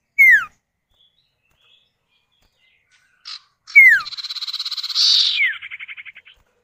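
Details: Common iora, a male and female answering each other, played as a lure to draw other birds into calling: a sharp falling whistle, a pause, another falling whistle, then a buzzy rattling trill of rapid pulses ending in a falling note.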